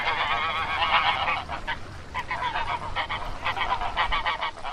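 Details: White domestic geese on a farm giving loud, harsh, nasal honks, several birds overlapping in rapid bursts throughout, with a steady noisy background.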